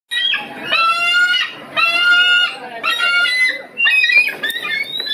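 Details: Bald eagle, head close-up, screaming: four bursts of high, thin, squealing chatter, each about a second long with short pauses between, the last more broken and stuttering.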